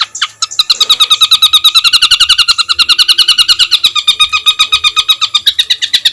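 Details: Songbird master material for training competition birds, with rough fill phrases: a rapid, even, chattering trill of many quick repeated notes that runs almost without break.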